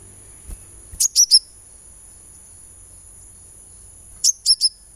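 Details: Sunbird calls used as singing therapy: a crisp trio of very high chirps, about three seconds of quiet, then another identical trio; faint low thud near the start.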